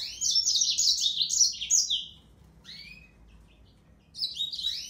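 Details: Yellow-fronted canary (Serinus mozambicus) singing: a rapid high warbling phrase of buzzy trills and sweeping slurred notes lasting about two seconds, a pause with a few soft chirps, then the song resumes near the end.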